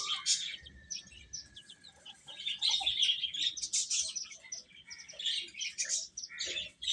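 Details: Young chickens eating while they chirp. Rapid, busy high-pitched peeping from many chicks at once, with short tweets packed closely together and swelling in the middle.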